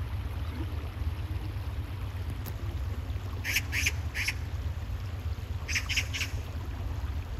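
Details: Harsh chattering calls of an Oriental magpie, a run of three rasping notes, a pause, then three more, against a constant low-pitched rumble.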